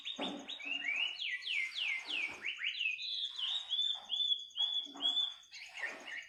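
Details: Bird singing in the middle of the night, a rich varied song of sweeping downslurred whistles and bright sliding notes delivered in quick succession, a constant high insect buzz in the background.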